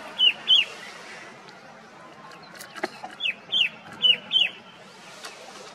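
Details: Red-winged shrike-babbler calling at a wilderness orchard and botanical garden in Mussoorie's mountain forest: a pair of sharp, falling whistled notes, a pause, then four more in quick succession, over low background rumble.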